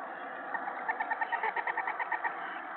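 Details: Owl at the nest during evening feeding time on 21 March 2017, around 7 pm, while a rabbit is fed to the owlets. A rapid run of about fourteen short, mid-pitched chittering notes sounds over steady background hum.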